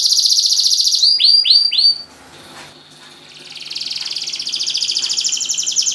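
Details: Singing canary, Semarang, recorded as a lure to get non-singing canaries to sing: a dense high trill gives way to four clear down-slurred whistles, a brief lull, then a rising rolling trill builds back to full volume.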